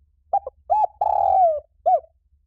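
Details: Spotted dove phrase used as a lure: quick paired notes, a swelling coo, a long downward-gliding coo and a brief final hoot, with soft low rumble beneath.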